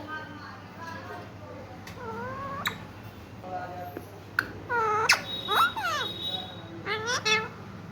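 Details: Green Indian ringneck parakeet, a pet, talking and saying "I love you" and kissing sounds; a series of harmonic, voice-like phrases with rising and falling tones, loudest near the end, over a steady low hum.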